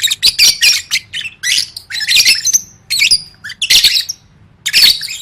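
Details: Competition-training lovebird song: loud bursts of shrill chatter and squeaks with rising whistled notes, packed phrases broken by short gaps, over a faint low hum.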